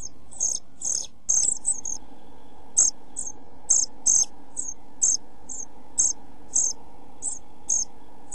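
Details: Nest-box camera recording from 29 June 2013 of pied flycatcher chicks 11-12 days old, about to fledge; short piercing high begging notes, some doubled, repeated roughly once a second over a low steady hum and faint shuffling.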